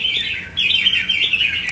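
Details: Newly caught wild Red-whiskered bulbul on only its second day caged, reacting to other birds' song: a bright, warbling run of chirpy phrases around the high-middle register, with a brief pause before a second burst.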